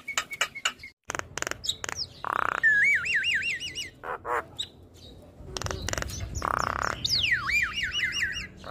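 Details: Gacor-style singing by a head-bobbing Black-winged starling: clicks and grating squawks alternate with long wavering whistled trills that rise and fall rapidly, one sweeping downward into a steep rolling trill.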